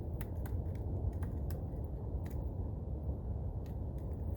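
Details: Low rumbling background broken by scattered sharp clicks and taps, with no animal voice heard.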